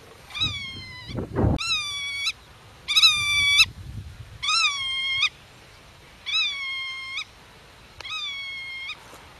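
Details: Black-tailed godwit guarding its nest and chicks hidden in grass, defending territory from intruders; harsh nasal calls repeated about every second and a half, six clear bursts, a low thump near the start.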